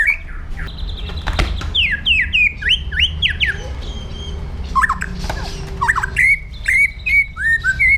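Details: White-rumped shama delivering aggressive 'pastol jahat' training song: a rapid series of sweeping downslurred whistles, a pause with soft chatter, then more upward whistled notes repeated briskly.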